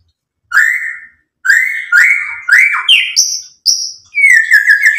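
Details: White-rumped shama singing to provoke other birds into song: clear, rich whistled notes, some held flat, some stepping up or down, followed by a rapid warbled run at the end.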